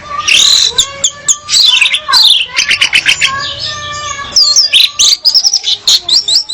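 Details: Female orange-headed thrush singing to entice a male: quick chattering chips and buzzy notes run together, then looping high whistled phrases near the end.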